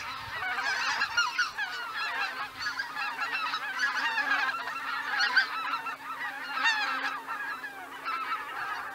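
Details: Roost departure of greater white-fronted geese at Miyajima-numa in 2023; a thick flock chorus of yelping, honking calls, rising and falling in waves over nine seconds.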